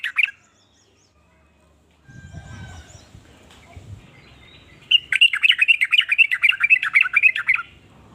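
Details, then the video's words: Sooty-headed bulbul singing a varied song that sets other bulbuls calling; a short chirp at the start, a low rumble mid-way, then a rapid run of bright, bubbling notes from about five seconds. "ber macam" suara trucukan ini bikin trucuk lain iri jadi langsung ikut bunyi"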